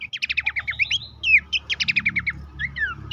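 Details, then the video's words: Horsfield's babbler song played to coax caged birds into active singing: fast rattling series of clipped notes mixed with slurred whistles, two dense bursts separated by a short gap, low background rumble. "terapi pancingan dan masteran burung pelanduk semak bikin aktif rajin bunyi"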